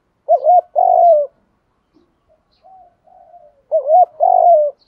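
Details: Spotted dove cooing for decoy training: two strong phrases of a quick wavering note and a drawn-out coo, separated by about three seconds with faint, quieter coos in between.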